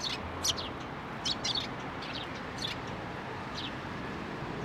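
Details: At a Tenmangu shrine, sparrows come to a fence post to be fed on 21 April 2023; a handful of sharp, high chirps early on, then sparser, softer ones over broad background noise.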